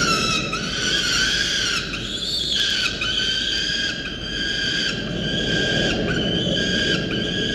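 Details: Peregrine falcon chick calling frantically when the mother returns to the nest, filmed by a university nest camera on 13 November; sustained shrill, wavering harmonic screams, briefly dipping and resuming, over a constant low background roar.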